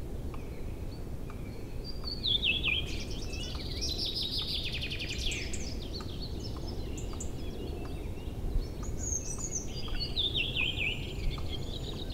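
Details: Chorus of newly returned birds on an April day in early spring, forest and meadows by a river free of ice: scattered high warbling and trilled phrases from more than one bird, some distant, over a low steady roar.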